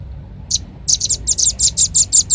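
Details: Lure call of the red-billed leiothrix, played to attract birds: a single high chirp, a pause, then an even run of bright, sharp notes about four per second, with low background hum.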